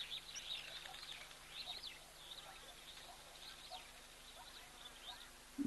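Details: A large flock of Wattled Starlings at an African waterhole, where giraffes, guineafowl and zebra are also present, keeps up a busy, overlapping chatter of thin, high squeaks and chirps over a low hum, ending with a sharp knock.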